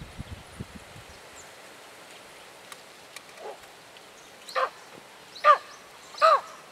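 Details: Kruger National Park, South Africa: after soft rustling and scattered faint sounds, a tawny eagle starts up with a few rough, downslurred barks that grow steadily louder, the last three evenly spaced.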